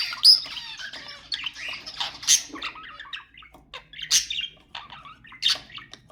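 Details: Budgerigar sounds to encourage mating: irregular harsh squawks about every two seconds, with soft twittering chatter between them in an otherwise quiet setting.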